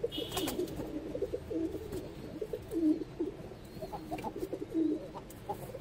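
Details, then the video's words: Ash-coloured baby pigeon giving soft, low murmuring coos in short repeated notes, with a brief high squeak near the start and faint rustling in the background. "Beautiful Ash color baby Pigeon !"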